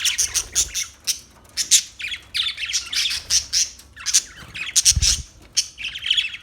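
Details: Parakeet chirping in quick bursts of sharp, high squawky notes, grouped in clusters with brief pauses between them.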